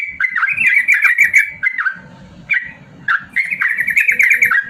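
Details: Yellow-vented bulbul delivering a drawn-out 'ropel panjang' song, used as training material for reluctant singers. Dense runs of warbled, chattering notes, then a quiet gap of about a second before the rapid bubbling resumes.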